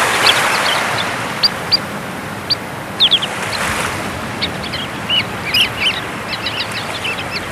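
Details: Sanderlings on the North Sea beach of Texel, running after the waves in search of small animals left behind: scattered short, sharp, high clicking notes, some in quick clusters of two or three, over a constant roar of surf.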